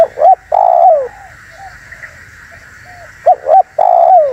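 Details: Spotted dove calling, a sound used to lure wild doves and provoke rival doves. Two short rising coos and a long coo that slides downward, repeated twice, over a steady high hiss in the background.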